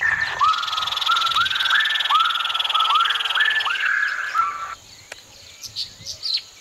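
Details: Grey-breasted crake giving a series of about eight short, rising whistled notes in quick succession, ending abruptly after roughly five seconds; a steady high insect-like buzz and scattered clicks continue in the background.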